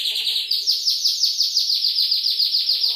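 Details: Canary in full song, champion tutor material with soothing water trickle: a brisk pulsed trill, each note sliding downward, repeated about five times a second at high pitch with soft lower twitters.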